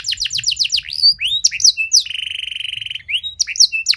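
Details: Canary singing to spur other canaries to reply: a quick series of descending chirps, sharp whistled slurs, then a steady buzzing trill held for about a second before more bright chips.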